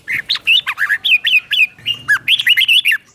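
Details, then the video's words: Red-whiskered bulbul teacher-bird song in the doubled style, played to captive bulbuls so they copy it: a rapid run of bright, warbled, rising-and-falling whistled notes, about sixteen in quick succession, with a faint low hum beneath. "เสียงนกกรงหัวจุก | สุดยอดนกครู เบิ้ลชัดๆ เบิ้ลเป็นคู่ๆ เสียงกระตุ้นนกรงหัวจุก"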